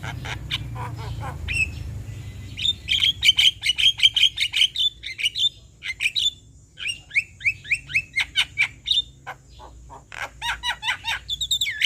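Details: Male Javan myna singing to provoke replies from other mynas: a long run of evenly spaced clear whistled notes, then a series of sharp rising squeaks, with scattered harsh chatter at the start and end.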